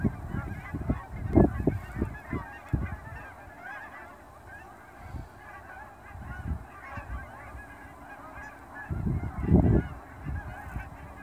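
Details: Hundreds of Canada geese flying off ponds toward grain fields to feed, fall, just after sunrise near an airport in Dawson Creek; continuous chorus of honks with loud clustered bursts early and near the end, low rumble beneath.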